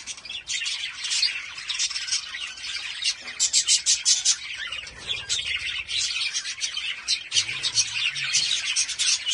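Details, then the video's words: Breeding lovebirds singing: a dense, continuous chatter of high, rapid chirps and squeaky twitters from several birds overlapping, with a few lower rasping notes near the end. "Love Birds# 177 Singing"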